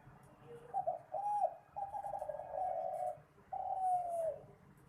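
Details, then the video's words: Spotted dove (terkukur) singing for song competitions: a short soft note, then a rising coo, a long rolling purred phrase and a final drawn-out descending coo, low and mellow, with faint background hiss. "Seni suara burung terkukur/derkukur suara sedap untuk pertandingan"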